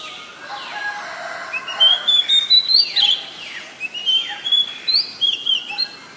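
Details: Oriental magpie-robin, a very common resident, recorded in Ubon Ratchathani, Thailand, on 7 January 2021: clear, high whistled notes in short repeated phrases with down-slurred sweeps, over a steady background hiss.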